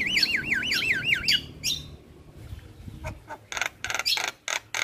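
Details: Javan myna in an energetic tutor recording for training captive birds. It opens with a rapid looping warble, then harsh chattering bursts follow after a short pause.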